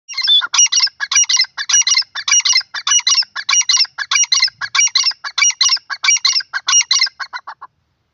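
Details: Grey francolin, also known as teetar or grey partridge, giving loud harsh calls repeated steadily about every half second for seven seconds, each note a quick clipped double burst, with a quiet background.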